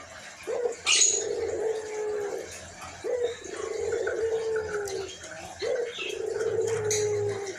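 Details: Three long, husky coos from a white albino collared dove kept as a calling bird. Each opens with a short rising lift, then a steady low tone sinking gently. They are spaced about every two and a half seconds, with faint bird chirps behind.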